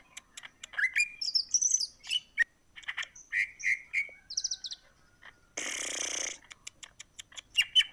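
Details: Indonesian greater green leafbird in lively song, meant to stir other birds to breed: fast varied chirps, rising whistled slurs and stuttering high notes, broken by a long harsh rasping burst, then scattered clicks.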